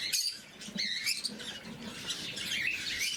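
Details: Blue-mutation lovebirds feeding in the morning, sharp squeaky chirps in quick bursts over a background of scratchy rustling and pattering.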